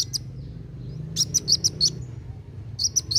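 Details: Kolibri wulung sunbird in steady, fast song, aimed at stimulating young birds: short bursts of sharp, very high ticking notes, a quick run of five or six, then a few more after a pause.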